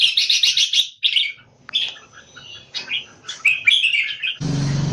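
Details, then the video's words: Caged Singapore-kept red-whiskered bulbul, a competition bird noted for open-tail peacock display, delivers rapid chattering bursts followed by varied warbled phrases. A loud broadband noise cuts in near the end. "Jambul -สิงคโปร์เลี้ยง นกหัวจุก Jupiter - Slash Open Tail Peacock Display Open Tail Keke Comp Bird"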